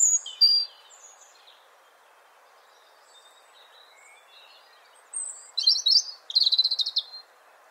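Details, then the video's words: European robin singing high, thin warbling phrases with a long pause, ending in a rapid sparkling trill, over a steady soft background hiss. "Как поёт зарянка (малиновка) ? Erithacus rubecula singing / European Robin"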